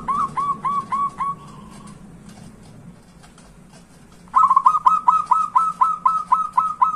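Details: Zebra dove song used to prompt quiet doves to sing: a series of short, bright, repeated coo notes, a pause of about two seconds, then a faster, louder run of about ten more.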